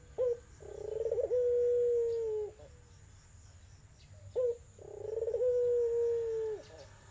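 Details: Barbary dove of irak/tangerine type, whose sweet voice is used to lure a silent dove into calling. Two matching coos about four seconds apart, each a short note and then an extended rolling coo.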